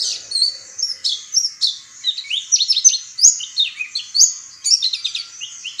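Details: Oriental white-eye, a small yellowish woodland bird of tropical Asia, delivering a clear, loud, busy twittering of high sweet chirps and slurred notes in a quick continuous stream, with a quiet background.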